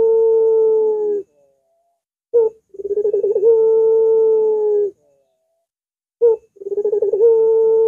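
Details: Long curving coos of a Barbary dove, a training and lure recording for doves: sustained level hums alternate with short sharp notes and bubbling stutters, repeating roughly every four seconds.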